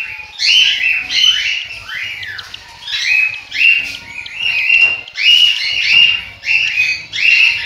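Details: Nestling cockatiels in Juazeiro do Norte, Ceará, Brazil, giving a steady series of scratchy, rasping calls that rise then fall, roughly every second, with several chicks overlapping.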